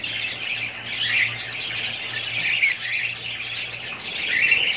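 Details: Budgies in steady, buzzy, high-pitched chatter that never pauses, with one brief sharp squawk-like note near the middle and a faint low hum underneath.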